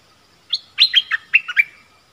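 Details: Streak-eared bulbul used as a decoy to lure wild birds, recorded 25 January 2021: a brief burst of bright, chirpy notes, six quick phrases sliding between mid and high pitch over about a second, in a quiet setting.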